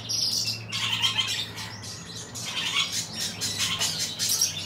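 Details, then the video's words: A silver-colored pair of diamond firetails gives thin, high chirps and squeaky notes in bursts throughout, over a steady low hum; diamond firetail. "ダイヤモンドフィンチ シルバー ペア"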